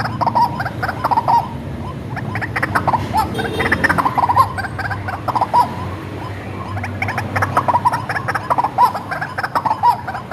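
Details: White-breasted waterhen raised from a chick, recorded for luring: long run of hoarse croaking notes in irregular bursts, with sharper accented notes every second or so and a continuous low hum.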